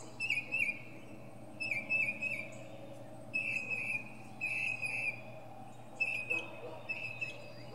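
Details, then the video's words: A northern mockingbird sings from a pine top, giving short whistled warbling phrases at mid-high pitch, each under a second long, separated by brief gaps; constant low hum underneath. "Northern Mockingbird goes thru his greatest hits!"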